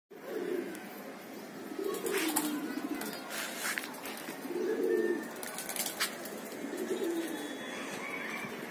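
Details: Racing homer pigeons in training, low soft cooing repeated every couple of seconds beneath a noisy background with scattered clicks and rustling.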